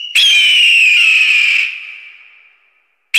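An eagle gives one long, shrill, piercing scream that holds steady, sags slightly in pitch, and fades over about two seconds before another call begins.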